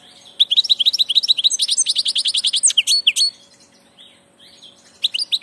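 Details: Twittering song of a passage European goldfinch: long rapid run of liquid chirps and buzzy tinkling notes for about three seconds, a pause, then another short burst.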